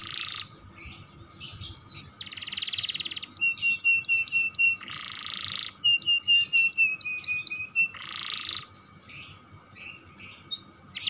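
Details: Young canary song meant to stimulate other canaries: harsh buzzy bursts between sequences of crisp chipping notes and long level whistles, intense and varied throughout.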